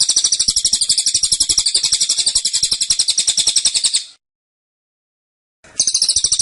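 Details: Caged cililin giving a tembakan, a rapid-fire song: dense, high, bright trilled notes pour out for about four seconds, stop abruptly, then resume after a silent pause.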